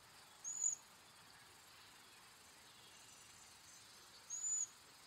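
Cedar waxwing giving two very high, thin, hissing whistles, each about a third of a second long and roughly four seconds apart, over a quiet background.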